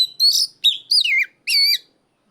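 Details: Loud ngeplong-style cries of an Oriental magpie-robin challenging a rival: four ringing whistled phrases, each bright and slurred, falling or wavering in pitch, separated by short gaps, with no other sound present.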